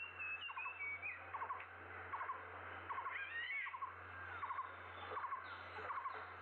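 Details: A Blue-throated barbet in Guangzhou in April 2022 repeats a quick, hollow three-note phrase about every two-thirds of a second, while other birds whistle higher and a low steady hum runs underneath.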